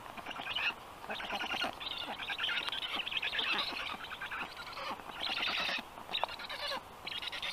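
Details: Young black storks on the nest in Estonia being fed, evening of 15 June 2022; wheezy, grating calls blend into a long rough chorus with a few short breaks.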